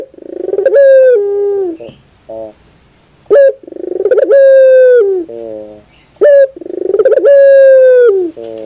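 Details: Puter bird (collared dove) singing: loud, harmonic-rich cooing phrases, each a rising note held level then falling, followed by a softer buzzy low coo, repeated about every three seconds; no other sounds.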